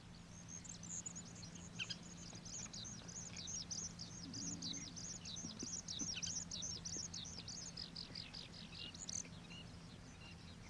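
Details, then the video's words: Common waxbill foraging at a wetland by the Old Iron Bridge, Taiwan, where it is an introduced escaped cage bird; continuous high twittering of short sharp downward chips from a flock, steady low hum underneath. "橫斑梅花雀覓食/Common Waxbill-bfpmv Foraging"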